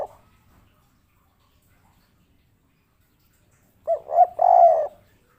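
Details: Local tekukur, or spotted dove, of the kuk 3 type: after a long quiet stretch, a three-part coo of two short notes and a longer drawn coo.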